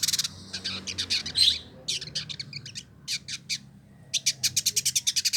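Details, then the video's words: Singing male village indigobird, a tutor bird kept in Bandung, West Java, Indonesia: clear, loud bursts of scratchy, high chattering notes, a brief squeak, then a fast run of evenly repeated sharp ticks at the end. "Burung Masteran Village Indigo Trotol Gacor"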